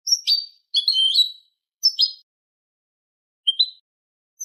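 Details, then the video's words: Eurasian goldfinch song in the Málaga copla style, used as a tutor recording for young goldfinches and hybrids: short clean phrases of bright chirps and trills, separated by silent pauses, with a lone phrase near the end. "شريط كوبية ملقا (Manolo) original لتلقين فراخ الحسون والهجين"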